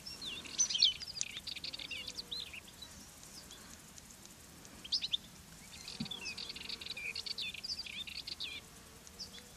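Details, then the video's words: Wild European goldfinch singing from fennel plants where it came to feed, Garraf Massif, Catalonia, filmed from behind camouflage netting: bright, fast, tinkling twittering phrases in bursts over steady background noise. "Video de un jilguero cantando en un hinojo"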